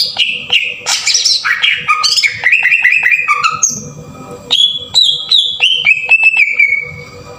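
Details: Cucak ijo, the green leafbird, giving a coarse tembakan kasar lure song to push others into singing. A fast, energetic medley of whistles and buzzy phrases steps downward, followed by a series of clipped notes and a steady whistled tail.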